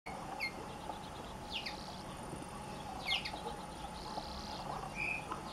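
Common linnet giving scattered, quick twittering notes and brief chirps, high and bright, spaced a second or so apart over a steady background hiss and hum.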